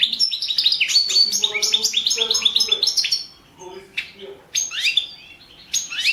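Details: Goldfinch, Carduelis carduelis balcanica, competing in the 2017 World Championship in Goldfinch Song: a dense three-second stream of quick chirps and warbling over soft lower notes, then scattered sharp twitters.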